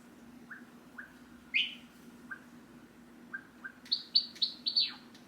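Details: Tame hand-reared pet Java sparrow in its cage, singing and calling as its owner gets up to leave: soft scattered chip notes, then a run of bright, clipped whistled notes toward the end, with a steady low indoor hum.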